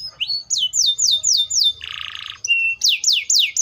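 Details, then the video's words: Canary singing repeated down-slurred whistles, a coarse buzzing trill, a flat held note, then more quick descending sweeps. "THE VOICE OF THE CANARIA SERINUS"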